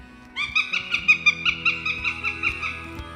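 A Northern Goshawk calls in a fast, even run of about fourteen harsh, nasal cackling notes, roughly six a second, over a faint steady hum.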